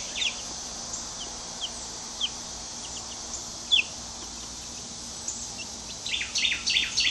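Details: Scattered thin descending peeps from two-week-old hatchery chicks in a coop, first minutes outdoors, build at the end into a dense cluster of overlapping high cheeps.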